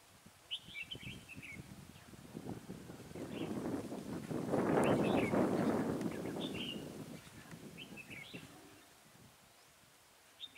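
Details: Red-whiskered bulbul kept as a decoy, singing in a trap to lure rival birds, 23 October 2017; short, bright, chirpy warbled phrases come every second or two, partly masked by a loud rustling rumble that swells mid-recording.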